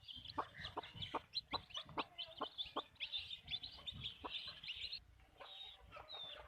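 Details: Chickens on a backyard farm give a run of short, sharp clucks about every half second, over a bed of higher squeaky chick-like peeps and low background hum.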